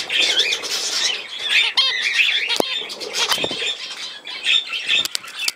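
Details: Budgerigars, filmed 17 November 2024, keep up a dense, continuous high warbling chatter of squeaky twitters and short whistled notes, with sharp clicks and fluttering sounds scattered throughout.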